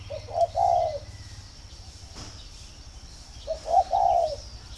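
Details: Spotted dove at a northern Vietnamese dove farm in Ba Vì, cooing as a pairing-readiness sign: two soft three-part coo phrases, the last note longest, separated by a quiet pause of about two seconds.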